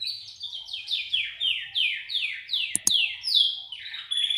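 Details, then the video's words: Original song of a Belgian canary: a quick run of about nine downward-sliding whistled notes, roughly two or three a second, ending in a sustained clear whistle, with one sharp click. "Canário belga canto original"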